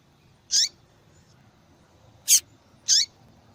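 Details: A calling female yellow-bellied seedeater, whose call is prized in female-call tournaments: three high, bright chirps, the first and last with a falling tail, the last two close together, over quiet background.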